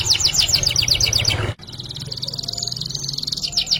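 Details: Canary song, gacor with ngerek: a fast series of descending chirps, a sudden break, then a sustained high buzzing trill with faint low hum beneath.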